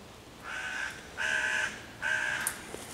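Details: Hooded crow cawing ever louder to drive off raccoon kits in a tree and rally other crows to attack; three hoarse, drawn-out caws in quick series, the middle one strongest.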